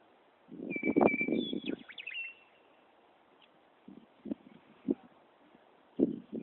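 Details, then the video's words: Meadowlark in Wyoming singing loudly from a tree, delivering a single clear whistled note that breaks into a quick gurgling flourish, partly masked by loud low rumbles and knocks. "Meadowlark Song"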